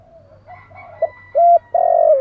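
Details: Spotted dove giving its thúc gù urging coo: soft low hollow coos, two short notes then a longer, louder drawn-out coo at the end.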